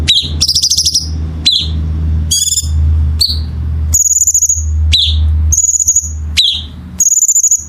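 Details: Songbird on a masteran recording, singing gacor: clipped high whistles and brief rattles alternate with thin very high level notes, broken by short pauses, while a steady low hum runs underneath.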